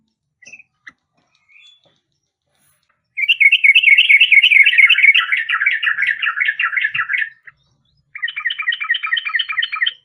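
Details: Sooty-headed bulbul, labelled a yellow-vented bulbul (trucuk), giving a fast, bubbly chatter of high notes that slides slightly lower over four seconds, then a second burst after a short pause.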